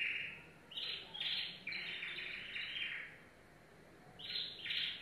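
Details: Yellow domestic canary producing bursts of high buzzy trills in quick succession, a short lull, then two more trilled bursts.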